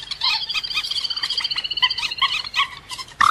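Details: Rail call used as a lure for trapping: harsh, nasal notes with stacked overtones, run together in a rapid chattering series, then broken into shorter bursts before a sharp closing note.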